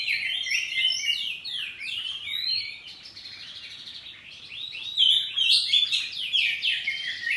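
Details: Home-kept kacer poci oriental magpie-robin singing in the open ngeplong style, answering back and forth: a fast, varied run of bright whistled and chirping phrases, rising and falling quickly, with short pauses between bursts.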